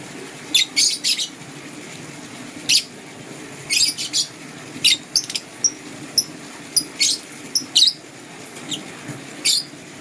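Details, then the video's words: Green and blue lovebirds chirping in the morning: a busy series of thin, shrill, high chirps, often doubled or tripled, coming several times a second with brief gaps. "Green LoveBird Chirping Sound"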